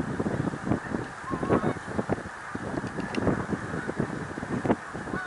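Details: At Middle Creek Wildlife Refuge in Pennsylvania on 1 March 2021, a big flock of snow geese keeps up a steady clamor of quick, barking honks layered over a distant drone of more geese.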